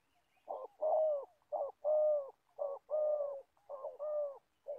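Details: Older decoy spotted dove in Gia Lai, Vietnam, used for bird trapping, repeating two-part coos, a quick note and a long mellow note, roughly once per second in a clear, quiet setting.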